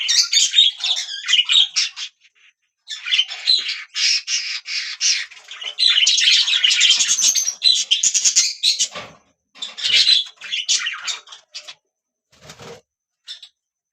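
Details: Budgie parrots chattering in scratchy, buzzy warbles and squawks, bursts separated by brief gaps, tapering to sparse faint chirps at the end.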